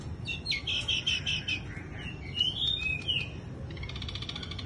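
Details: Bush lark in wing-flutter display: a quick series of four similar chirps, then a long, rising, sweet whistle, ending in a dry, rattling flutter of many rapid ticks over low background noise.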